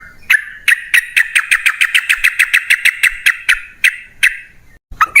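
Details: Yellow-vented bulbul used as a lure recording to set caged birds singing: a fast series of about twenty sharp, clipped chirps, evenly spaced and slowing slightly toward the end, then a brief pause and two more notes.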